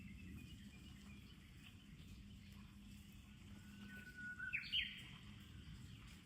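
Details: Summer song of a Japanese bush warbler in Kamakura after rain: a held plain whistle for about a second, then a sharp rising, twisting flourish, heard against a soft constant low hum.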